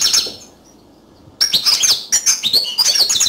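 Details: Short burst of yellow canary song: a high trilled phrase, a second of quiet, then quick sweet twittering and rattling notes resuming strongly.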